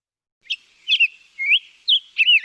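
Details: Black-headed Grosbeak song from the Lake Tahoe area: five quick, slurred whistled phrases about half a second apart, rich and robin-like but sweeter and more fluid, easily confused with robin and western tanager; nothing else is heard.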